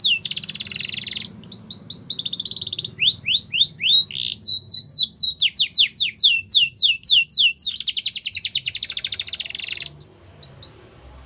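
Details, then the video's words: Long training song of a Russian canary: buzzy trills, runs of quick falling whistles repeated several times a second, slower swooping notes, another sustained rattling trill, and a final short whistled phrase. "Russian Canary Singing | The Best Canary Training Song"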